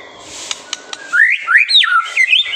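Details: White-rumped shama training song meant to stir young birds to sing: a few faint clicks, then loud, looping whistled slurs that rise and fall steeply over a soft background hiss.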